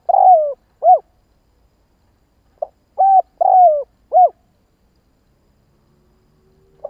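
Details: Spotted dove calling as a lure to provoke other doves, a run of mellow, hollow coos in two bursts, each a slurred longer note followed by shorter rounded ones, against a quiet background.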